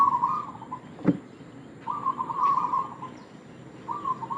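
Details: Zebra dove of local stock calling as a lure to draw in other doves, giving two rapid, rolling trilled coos with a gap between them and one dull knock midway.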